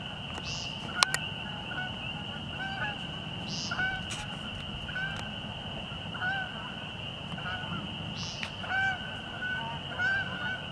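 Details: American woodcock peenting at dusk around 6:20 pm in March at Fresh Pond, Delaware Seashore State Park, during its sky-dance display season; several short nasal buzzy calls scattered through the clip over a steady high insect-like hum, with faint higher chirps.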